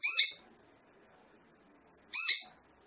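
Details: Female Belgian canary used to warm up a breeding male, two short rasping chirps two seconds apart in a quiet room.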